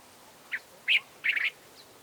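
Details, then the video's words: Cape bulbul call variation from Southern Africa: three short bright notes, a brief chirp then two louder warbled phrases around the middle pitch, a faint note trailing after; quiet background. "Cape Bulbul Call Variation 2"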